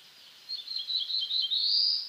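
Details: A black-throated blue warbler sings in eastern North America: several high, wavering buzzy notes rise into a longer, louder buzzy note that climbs at the end. The background is faint and quiet.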